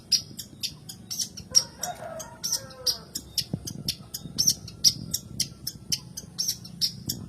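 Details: Harsh, rasping chips from a long-tailed shrike, repeated about twice a second, with a brief low chattering passage early on; the recording serves as a lure to stir reluctant shrikes to sing.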